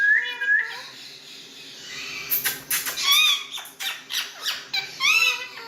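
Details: Indian parrots at home: a steady held nasal note at first, then a noisy scratchy passage followed by quick squeaky, bending squawks in uneven bursts, heard inside a small room.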